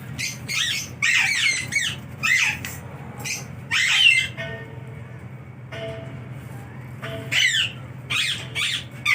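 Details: A pet sun conure gives harsh, grating squawks in quick bursts, with a steady low hum behind.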